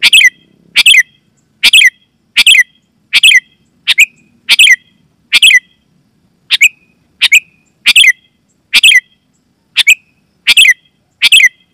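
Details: Sooty-headed bulbul (kutilang) call meant to draw wild bulbuls in forest and prompt caged ones to answer: loud, clear bursts repeated steadily about every three-quarters of a second, each with a short trailing whistle, no other sounds.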